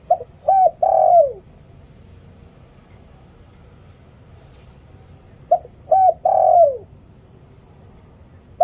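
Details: Decoy cooing of a spotted dove in the 'liu tan' style for attracting wild birds: two phrases, each a quick pair of short hooting notes then a drawn-out, downward-sliding coo, spaced roughly five seconds apart.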